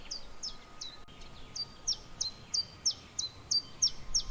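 A Common Chiffchaff sings a steady run of high, sharp, downslurred notes, about three a second, in its see-sawing chiff-chaff pattern over a faint background hum.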